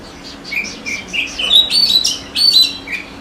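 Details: Oriental magpie-robin in a forest building from soft repeated whistles into louder, rising, scratchy warbled phrases.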